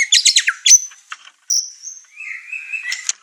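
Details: Caged white-rumped shama, over-excited and setting off the other house birds; quick chattering notes, a high sustained whistle, then a lower drawn-out warbling tone.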